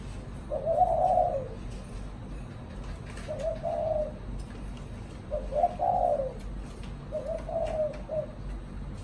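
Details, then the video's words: Spotted dove, a caged pet, singing the "thổ chạm đồng" coo style: four evenly spaced soft, hollow coo phrases about two seconds apart, each with a stressed swelling note, over low hum. "Cu thổ chạm đồng"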